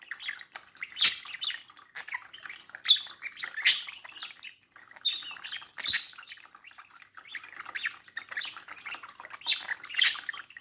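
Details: Pet budgerigar at a mirror, chattering in bursts of warbled, scratchy notes with sharp high clicks and squeaks, loud peaks roughly every one to two seconds, indoors.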